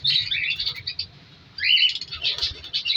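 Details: Captive colour lovebirds, an African lovebird breeding colony in an aviary in winter. A burst of shrill chirping, a short lull near the middle, then renewed overlapping squeaky calls.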